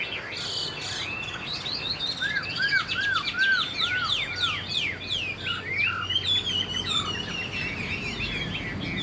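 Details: A Chinese hwamei taken this year and not yet moulted pours out a long, varied song of arched whistles, fast slurred notes and bright trills, with little break between phrases.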